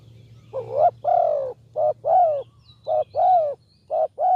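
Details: Spotted dove giving its cooing call for luring doves: low, hollow coos in pairs of a short note and a longer one, with brief pauses between them, against a quiet background hum.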